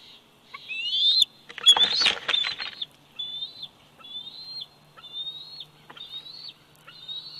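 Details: Bald eagle eaglet, 104 days old, on the Big Bear Valley nest cam, July 27, 2019: a string of high rising whistles, interrupted early by a burst of broad rustling, then resuming at irregular intervals.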